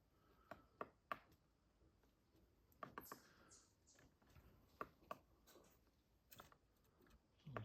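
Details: A woodpecker bashes at the base of a tree by a riverside home on Prince Edward Island: sharp, dry taps at an uneven pace, about a dozen in seven seconds, with a faint high squeak and low background hum.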